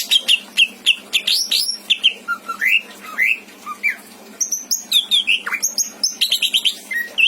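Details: Greater green leafbird, a caged pet in Indramayu noted for rich mimicry fill-ins, delivering a varied song of bright upslurred and downslurred whistles, some low swoops, and quick high chattering phrases in a small room.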